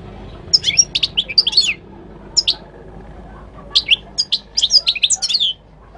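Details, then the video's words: Song of a goldfinch from Morocco. Rapid liquid twitters and sharp chips come in two clustered bursts with a brief lone phrase between, all high and jingling, against faint background hum. "تغريد الحسون المغربي chant de chardonneret marocain"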